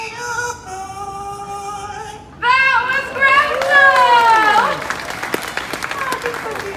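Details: A pet Yellow-naped Amazon sings a learned human tune in a voice-like warble, held notes then swooping rising and falling phrases, with clapping and a few words behind, after eating a treat.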